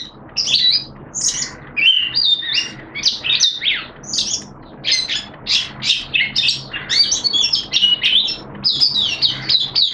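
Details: Oriental white-eye, a kept hobby songbird, sings in open song on 11 September 2022 in wet, erratic weather: dense, fast run of high, sharp chirps and twittering notes with almost no pauses, and a faint low hum underneath.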